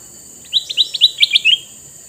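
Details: Red-eyed male sooty-headed bulbul gives a chattering series of roughly nine quick bright notes ending in an upward slur, a constant high hiss underneath.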